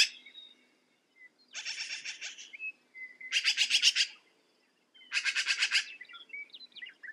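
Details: Black-billed magpie giving three bursts of harsh, rasping chatter, each a fast rattle of six to eight grating pulses, separated by pauses with faint squeaky whistles.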